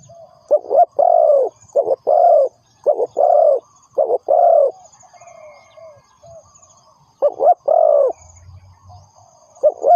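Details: Spotted dove used as a lure for trapping, giving loud hoarse coos in phrases of short notes followed by a longer drawn-out coo. There are three phrases, a pause, then more coos, with a faint high ringing trill in the background.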